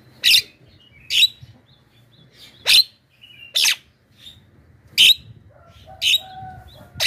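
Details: Javan myna giving a loud lure call used to attract wild mynas: harsh, screeching broadband bursts repeated about once every second, with short quiet gaps between them and a faint low hum underneath.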